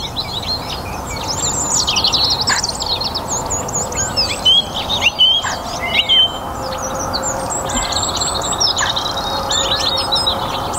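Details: Spring evening chorus in a North Antrim garden, a song thrush pouring out a quick series of repeated high, zigzag notes, followed by assorted sharp phrases, with many other birds singing throughout.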